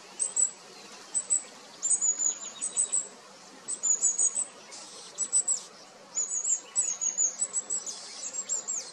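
Long-tailed tits giving very high, thin, short notes in quick clusters of three to five, with a few softer, rougher notes between.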